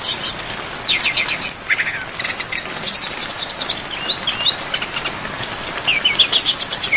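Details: Brown-chested jungle flycatcher singing a filler-packed training song over falling rain: rapid stuttering notes, a fast series of repeated arched whistles, then twittering phrases ending in chirp bursts.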